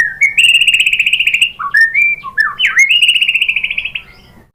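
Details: Lure song of a white-rumped shama to provoke rivals: a long rapid trill on one pitch, a few slurred whistles, then another extended buzzy trill that fades out.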